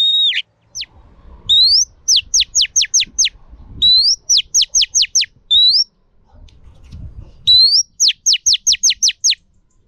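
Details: Female Oriental magpie-robin calling to rouse males, used for training: three phrases, each a rising upslurred whistle then a quick run of five or six steep, high, downward-sweeping whistles, with faint low rumbles between phrases.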